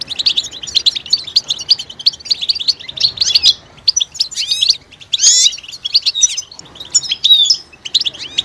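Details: European goldfinch calls of mating readiness, prompting males to sing: continuous bright chirping and slurred twitters, broken by a few louder sweeping, tinkling phrases, with a quiet background.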